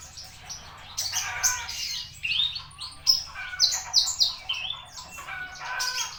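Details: A Javan bushlark sings a varied series of twittering notes, then several sharp high downslurred chips in quick succession. A faint low hum is present.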